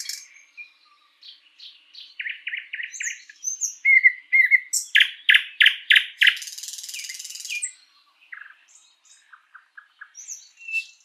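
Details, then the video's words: In a spring forest a thrush nightingale sings scattered thin whistles, then a loud series of repeated chopping notes followed by a long dry rattling buzz, ending in quieter whistles. "Bird sounds Nightingale bird singing"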